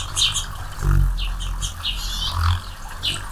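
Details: Hummingbirds flying around and drinking nectar; a hummingbird gives a scatter of high, thin chips and squeaky twitters, a few each second, over a low rumble of wind or handling noise.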